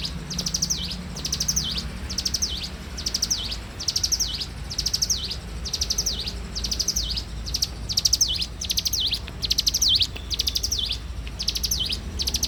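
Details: Bar-winged prinia singing persistently in the morning: a long series of chattering high notes, each phrase ending in a down-and-up whistled dip, repeating steadily with barely a pause; low background noise.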